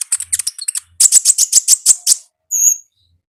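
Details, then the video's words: Lively konin "gacor" song in wild style, made of fast stuttering clusters of sharp high clicks and chirps, then a clear sustained whistled note after a short gap. "AUDIO KONIN GACOR NGALAS Suara Asli Alam Liar"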